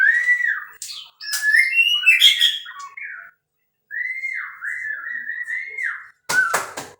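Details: Captive-bred white-rumped shama singing: smooth whistled phrases with swoops and short warbles, a brief silence, a long wavering whistle, then a couple of sharp clicks at the close.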